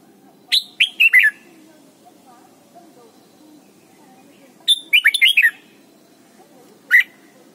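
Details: Song of a red-whiskered bulbul for teaching young birds: a cheerful burst of four whistled notes, another fuller phrase about four seconds later, and a final single sharp note, with faint hum.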